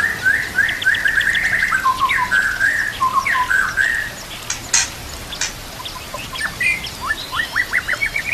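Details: White-rumped shama full song meant for training and luring shamas, set with nature sounds and trickling water: rapid varied whistled phrases, rolling trills and sharp upward slurs, with a few harsh broadband notes midway.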